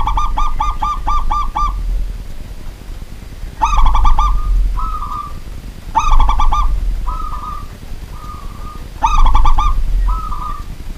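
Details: Zebra dove of local stock calling at night: series of stuttering rolled coos followed by short drawn-out notes, phrases repeated every two to three seconds, with a steady low hum underneath.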